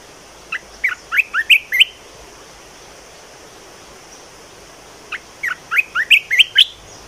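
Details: Red-whiskered bulbul kept in a cage, singing two bursts of about six quick, chirpy, upward-slurred whistles each, separated by a pause of roughly three seconds of near silence.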